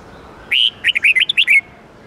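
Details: Red-whiskered bulbul singing the '8-9-10 note' twisting song style, used for daily song training of bulbuls. One brisk phrase: a longer, steady whistled opening note, then about seven quick, clear whistled notes that rise and fall, over a quiet background.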